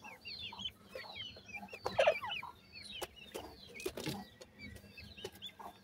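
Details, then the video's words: Peeping grey francolin chicks from India, known locally as gora teetar: a stream of short, high, curved cheeps, denser at the start, broken by loud tapping and knocking noises. "grey pheasants chicks sweet awaz,indian gora teetar chicks"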